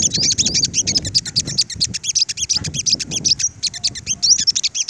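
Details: Five-coloured sunbirds in a confrontation with the lead birds: fast, steady, very high chattering chirps throughout, with low rustling and thumping underneath.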